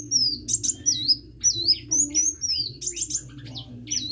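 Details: Hummingbird singing in bright, high, downward-curving whistles, about two per second, with occasional buzzy notes and a faint low hum behind.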